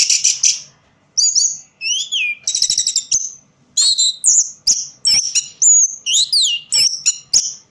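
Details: Orange-headed thrush singing where light is weak, mixing chattering trills, falling slurs and bright high whistles in quick succession, a varied continuous stream after an early pause.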